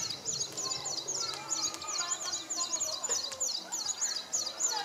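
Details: A displaying male São Tomé prinia at Nova Moca, São Tomé, on 19 January 2019 sings rapid, high, buzzy chattering phrases of about three notes a second, over a low murmur of background noise.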